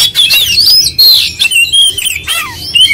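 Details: Short burst of an oriental magpie-robin's full-repertoire konslet song: bright sliding whistles, a clear descending note and harsh fragments, tightly packed and loud.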